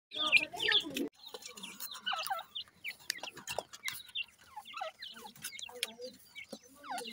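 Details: Pheasant chicks calling to their mother while she feeds them: a rapid, irregular stream of thin, high peeping chirps, with a louder, harsher squeal burst at the start.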